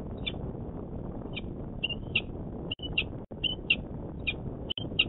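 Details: Peregrine falcon, the male, at a city nest ledge in Manchester, New Hampshire, on 26 February 2018, giving spaced sharp chips mixed with brief drawn-out whining notes, irregularly timed, above a continuous low hum.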